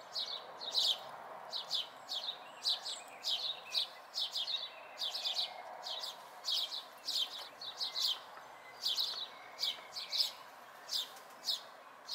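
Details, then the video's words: Local house sparrow fledglings in May 2020 chirp repeatedly, loud downward-slurred notes spaced about every half second, sometimes doubled, across twelve seconds over mild background hiss. "House Sparrow Fledglings"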